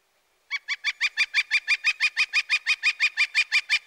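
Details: Northern Flicker giving its loud, repetitive wick wick wick call: a steady series of about twenty sharp, evenly spaced notes, roughly five per second, holding one pitch throughout, with a clean quiet background.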